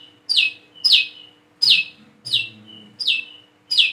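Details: Young Plain-throated sunbird practising its call, used as a lure for birds that have stopped singing: six strong chipping notes that fall in pitch, each introduced by a brief level tone, spaced under a second apart over a low hum.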